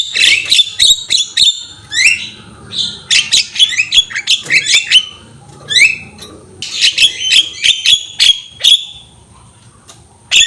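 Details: Javan myna singing with bobbing head, recorded as a training tape; bursts of harsh squawks, clicks and upslurred whistles, then a pause near the end ending in one sharp click.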